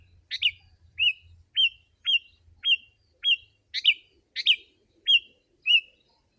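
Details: Sooty-headed bulbul singing densely as a wild-bird lure: evenly spaced hooked whistles about every half second, with two or three harsh buzzy bursts mid-sequence and a faint low hum at the start.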